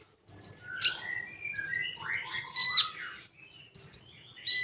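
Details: Common iora singing 'tembakan': doubled high pips, a run of four repeated sharp whistles, descending slurred phrases and buzzy bursts, with a quiet gap before more pips.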